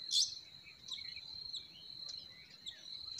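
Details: Spring forest birdsong: a loud sharp chirp opens, followed by sparse brief high tweets set against a constant high-pitched drone.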